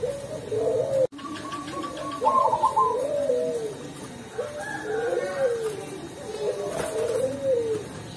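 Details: A local Cemani zebra dove (perkutut) from Tulungagung, kept for its deep, melodious voice, gives soft, rolling cooing phrases, each a quick burbling trill of mellow notes, repeated every couple of seconds with a brief click near the start.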